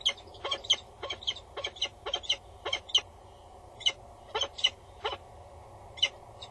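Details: Loud female peregrine falcon above her nest box at Axel Tower in the Netherlands, bowing with the male close by, morning of 22 August 2019; rapid series of harsh, piercing call notes, often paired, against low background hum.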